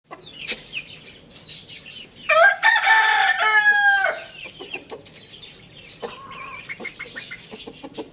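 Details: Rooster at home crowing once: a loud, harsh, harmonic-rich call of about two seconds that rises and then holds steady. Short clucks and clicks come before and after it.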